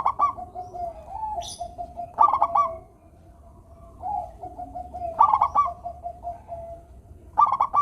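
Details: A steadily singing local zebra dove, used as a prompt for idle doves, repeats quick pulsing coo phrases every few seconds, with gentle background cooing and one brief high squeak.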